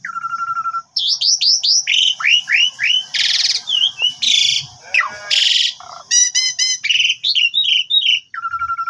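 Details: Asian pied starling lure song full of filler phrases, meant to make a silent bird sing back: a low level whistle, quick falling whistles, loud harsh buzzy bursts, stacked trilled notes and a repeated low whistle at the end.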